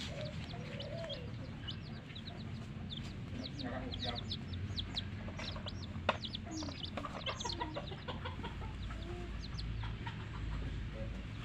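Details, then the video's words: Baby chickens (chicks) peeping: a continuous scatter of short, high, sharply falling chirps from several birds, overlapping at irregular intervals, with lower clucking notes and steady background rumble. "Hen Baby Chicks, Witty MURGI Baby "Chicks Chirping" Sound"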